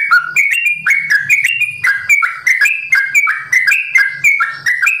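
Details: Sooty-headed bulbul, simbar jati type, caged at a bird farm, in long continuous 'ropel' song: bright whistled notes delivered in quick succession, each slurring slightly, pitch shifting between phrases.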